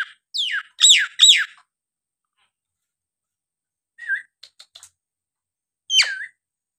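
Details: Nias hill myna song used as a lure to make lazy birds sing: three loud, harsh downward-sweeping notes, a pause, a short whistle with clicks, then a final descending whistled slur.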